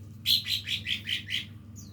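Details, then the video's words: Lesser green leafbird practising song: six evenly spaced, bright chirped notes repeated about every fifth of a second, each with a slight downward slur, ending with a thin falling whistle. "cucak ijo mini belajar bunyi"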